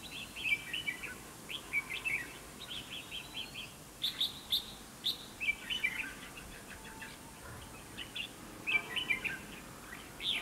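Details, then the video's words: Red-whiskered bulbul singing to provoke rivals at a fighting trap: clear, repeated bursts of bubbly, chirping warbled phrases, coming every second or so throughout, against quiet background. "Bẫy chào mào"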